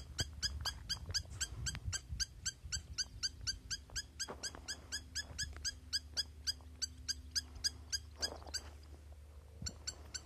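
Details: Rapid, piercing, ringing notes of a spur-winged lapwing, repeated about four times a second for over ten seconds, briefly interrupted near the eighth second by a rustling burst, with a faint low hum beneath.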